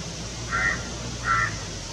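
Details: Malabar pied hornbill in the Western Ghats of India, eating a caterpillar, gives two loud, harsh, nasal squawks about 0.7 seconds apart over a low steady background hum.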